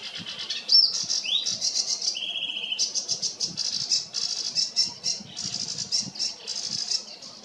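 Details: Sedge warbler singing very close by, alongside other sedge warblers: a fast, scratchy, chattering stream of high buzzy bursts, broken by a rising slur and a flat, steady whistled note near the start, with a soft low rumble beneath.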